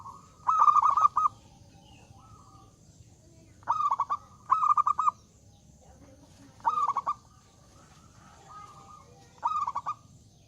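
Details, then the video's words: Zebra dove, a loud singer said to invite rivals to sing, giving short bursts of rapid, rolling cooing notes every few seconds, with softer single coos between them. "Suara Burung Perkutut Gacor Suara Besar Mengundang Lawan Bunyi"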